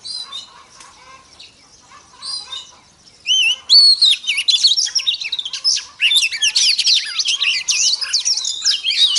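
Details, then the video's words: Female Oriental magpie-robin heard to stir up male birds: faint, scattered chirps at first, then loud, fluid whistled phrases and fast trills pouring out continuously. "Choè than mái kích trống hay nhất"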